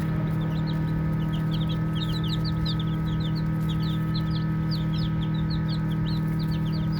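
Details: Chicks at play give a busy chorus of soft, high-pitched peeps, several per second, over an unbroken low hum.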